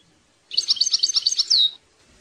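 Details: Song of the European goldfinch meant for tutoring young goldfinches: a string of about ten quick, evenly repeated bright notes ending in a clear, drawn-out downward slur.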